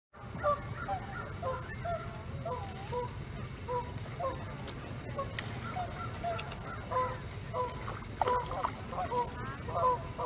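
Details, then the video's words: Canada geese at Hawreluk Park Lake, met up close, give nasal two-toned honks in scattered bursts over a steady low rumble of background noise. "Canada Geese at Hawreluk Park Lake"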